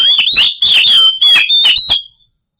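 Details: White-rumped shama song used as a lure to get quiet birds singing: a run of clear high whistles broken by harsh clicks and short warbles, ending in a fading whistle.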